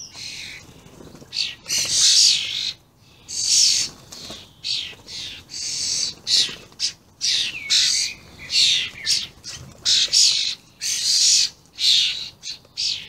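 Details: Common starlings, very vocal juveniles and adults, recorded 28 May 2016: harsh, hissing, rasping bursts repeated in quick succession, high and broadband, with short whistled notes slipping in between.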